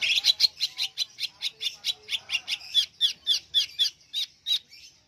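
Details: Greater green leafbird kept in a cage, singing in full form under its cage cover: a rapid, unbroken series of loud, harsh, chattering notes repeated about four times per second, with no other clear sounds.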